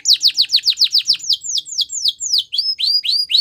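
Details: A female Belgian canary's morning song: a rapid run of steep falling notes that slows into longer descending sweeps, then turns to rising whistled upslurs.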